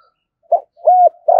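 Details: Short burst of a spotted dove decoy's lure call in a deep voice: one quick note, then a held hollow coo, then the start of a louder coo cut off at the end.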